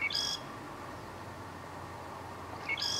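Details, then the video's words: Northern Lanzarote, October 2018: a southern grey shrike delivers a clipped phrase, a high clean whistle then a rasping buzz, repeated after about two and a half seconds against a quiet, hissy background. "(Southern Grey) Shrike song"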